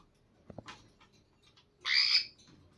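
A single harsh, raspy squawk lasting about half a second from a slaty-headed parakeet chick begging, preceded by a few soft clicks and faint rustling.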